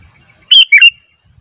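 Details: A single loud, quick bubbly phrase of two to three notes from a noisy Sooty-headed bulbul, otherwise quiet.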